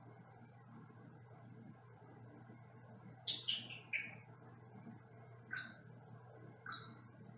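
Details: Senegal parrot in a small cage in another room, giving short whistled calls: a lone high note early, then a cluster of sharp, descending whistles with a few single ones after, over steady low hum.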